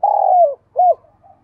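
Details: Spotted dove kept as a lure for wild doves. It gives one long, low, purring coo that sinks at the end, then a short arched note, followed by a faint softer coo.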